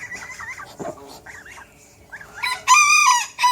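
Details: Backyard flock of roosters and chickens on a farm: soft clucks and murmuring hens at first, then a rooster bursts into a loud, harsh crow near the end.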